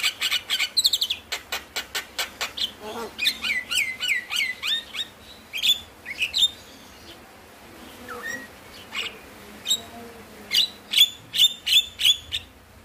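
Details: Javan myna singing as a lure for lazy mynas: a rapid run of dry clicks, then a string of bright downslurred whistles about three per second, a lower rising note, and a closing burst of sharp repeated chips.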